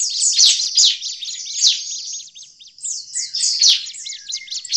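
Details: Bar-winged prinia giving noisy, agitated calls used as a lure for prinias in forest: dense, rapid high chirps and scratchy notes in bursts, with a few thin whistled notes in the second half.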